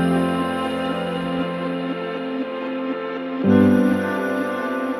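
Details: Soft, sustained instrumental music plays throughout, swelling slightly in the middle.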